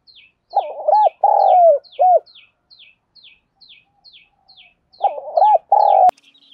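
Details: Decoy spotted dove in giọng đồng pha style, calling to rouse wild birds. Two phrases: quick broken notes, a long sliding coo, then a clipped final coo. A faint high chirp ticks along steadily and a sharp click sounds near the end.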